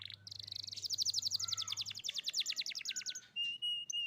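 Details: Young canary song meant to prompt quiet canaries to start singing: a long, fast trill of loud repeated chirps, then a clear sustained whistled note in two pulses, with a low hum at the start.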